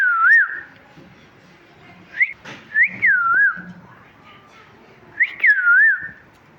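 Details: Wavy whistled chirps from a talking parrot, several notes rising sharply then wobbling downward, some paired closely, with quiet gaps between.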